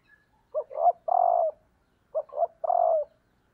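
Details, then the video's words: Female spotted dove acting as a decoy, calling to stimulate males: a pair of cooing phrases roughly one and a half seconds apart, each a short note, a rising middle coo and a sustained, gently falling final coo. "cu mái gáy kích trống hiệu quả/ Chim cu mồi"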